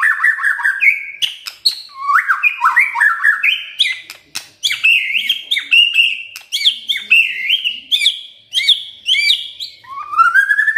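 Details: White-rumped shama delivering a full, crackling song: long unbroken run of varied whistled slurs and sharp clicks, stepping higher midway, ending on a clear rising whistle.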